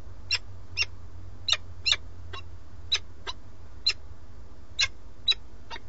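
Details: Nest of a peregrine falcon pair in Alcalá de Henares, Madrid, on a live webcam. The male, holding a starling, calls repeatedly for the female. Some thirteen harsh, clipped notes in six seconds, a few in quick pairs, over low hum.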